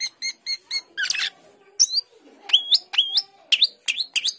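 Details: Asian glossy starling, a fruit-eating starling known locally as cucak keling or jalak keling, singing energetically: a run of short harmonic chirps, a rough burst, then rising-and-falling whistled notes repeated about every half second.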